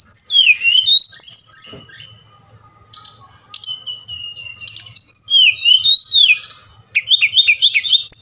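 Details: Brown-chested jungle flycatcher, Bali type, song meant to provoke caged birds into singing: looping slurred whistles, a quieter buzzy stretch, then fresh bursts of bright warbled notes, over a low background hum.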